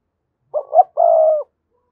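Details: Spotted dove decoy coo meant to set other doves cooing: two short rough low notes then one sustained steady coo about half a second long, in silence.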